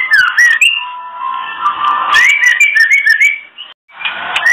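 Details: Female oriental magpie-robin giving its kretekan call, used to bring male magpie-robins into breeding condition: clear rising and falling whistled notes mixed with sharp crackling clicks, delivered in quick irregular bursts, with a short silent gap near the end.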